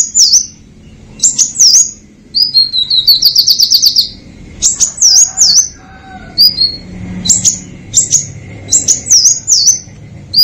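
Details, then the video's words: Sharp high-pitched song of a purple-throated sunbird. Pairs of swooping V-shaped whistles recur every second or so, with a rapid buzzy trill in the middle and a few thin notes between phrases. "SUARA KOLIBRI NINJA GACOR FULL TEMBAKAN TAJAM"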